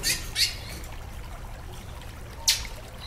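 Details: Female chestnut-bellied seed finch calling to excite the male, giving sharp bright chips near the start and another at about two and a half seconds, over steady rushing waterfall noise.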